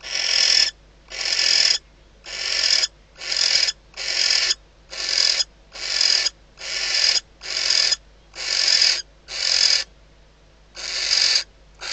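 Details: Female barn owl inside a nest box at Riet Vell Nature Reserve, Ebro Delta, calling on detecting the male days before the first chick hatches; harsh hissing screeches, each under a second, repeated about once per second.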